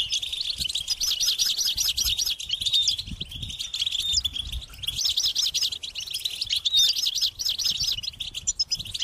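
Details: Hungry European goldfinch chicks beg for food with high, insistent chattering; rapid trilled bursts rise and fall repeatedly over nine seconds, overlapping into a dense, continuous twitter.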